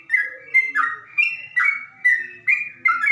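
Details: Ropel-style song of a Yellow-vented Bulbul, delivered slowly with a deep tone: rich gurgling whistles that rise and fall in short phrases, each burst following roughly every 0.4 seconds, steady and clear with little background noise.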